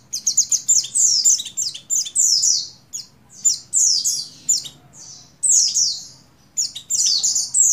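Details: Calling for a male, a female Oriental white-eye (buxtoni) in breeding condition gives dense runs of high, thin, downslurred chirps, sometimes stuttered quickly, broken by short silences.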